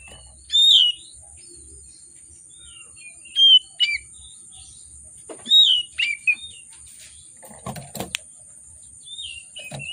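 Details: Oriental magpie-robin in lively, agitated song with rich varied phrasing, used as a lure to prompt reluctant birds to sing: short whistled and slurred phrases in bursts, with pauses between, and a brief scratchy noise near the end.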